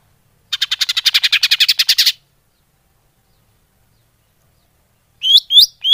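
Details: Greater green leafbird lure sound: a fast, buzzy rattle of about fifteen rapid notes over one and a half seconds, a long silence, then three sharp rising chirps.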